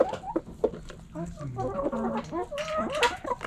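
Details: Backyard chickens, hens and roosters, pecking and scratching; soft low clucks and warbling murmurs, then higher, more nasal calls toward the end over a light background rustle.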